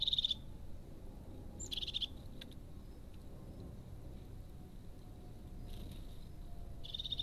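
Crested tit giving three short, high, rapid trilled bursts a few seconds apart, over a steady low rumble of background noise.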